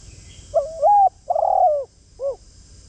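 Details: Spotted dove used as a decoy, cooing to draw in wild birds. It gives a single phrase: a short bent note, a drawn-out hoarse coo sliding down, and a clipped closing coo, against a quiet hiss.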